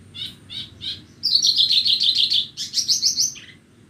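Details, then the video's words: Horsfield's bush lark from Borneo singing on a bright morning, a few spaced chirps leading into a long fast trill of high, buzzy, rapidly repeated notes. "Pagi yang cerah sambil mendengarkan burung branjangan borneo bernyanyi"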